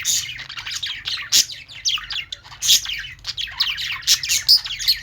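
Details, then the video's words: Many budgies in a pet store warble and chirp continuously, quick downward-sweeping squeaks mixed with buzzy chatter, steady low hum in the background. "budgies singing | parakeet chirping sounds in pet store"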